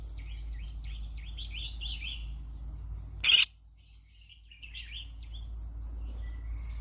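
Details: Green-cheeked conure at its daily morning singing: rapid, twittering chirps in a busy burst, a single sharp, loud screech, then a quieter second spell of chattering notes.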